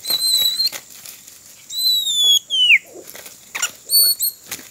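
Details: Oriental magpie-robin during roadside trapping: long, pure, level whistles alternating with a clear downward-slurred whistle, broken by fluttering and rustling sounds.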